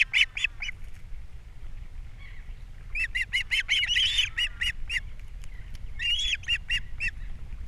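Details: Captiva osprey nest in April, male bringing fish, female feeding chicks; bursts of sharp high chirps in quick series, some overlapping squeals, over a low steady background rumble.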